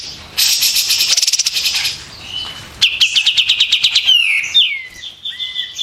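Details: Loud, sharp white-eared bulbul song recorded for training competition birds: a long fast trill, a second rapid pulsed run, then clear falling and level whistles.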